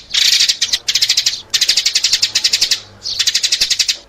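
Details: Sparrow lure calls: quick, high twittering chirps in three bursts, the first breaking into separate notes, with brief silences between bursts.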